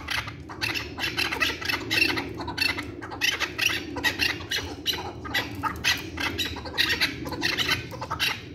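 Chukar partridge giving harsh, clucking chuk notes, repeated rapidly several times a second in uneven bursts over a low steady hum.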